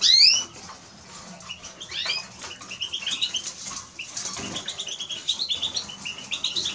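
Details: Eurasian siskin (Spinus spinus) song: a fast, continuous twitter of short, high chirping notes, with a brief loud fluttering burst at the start.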